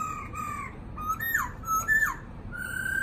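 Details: Caged Black-throated laughingthrush, said to be about 80% through its moult and settled in the cage, gives clear, mellow whistled notes, some held level and two sliding sharply downward, over a faint background hiss.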